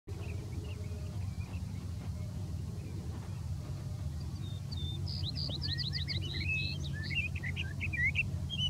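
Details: Sage thrasher (Oreoscoptes montanus) singing from dense big sagebrush near Silver City, Montana, a fast run-on warble of high, varied notes growing stronger halfway, vesper sparrow in background, steady low rumble of wind or distant traffic.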